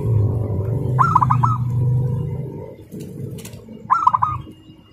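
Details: Local zebra dove, a contest prospect, giving fast, tightly packed song likened to a sewing machine: two short rapid trilled coo phrases about three seconds apart over a steady low droning hum.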